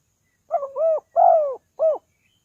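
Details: Spotted dove call played to lure wild doves: a single phrase of three soft, low cooing notes, the middle one longest and slightly falling, over a silent background.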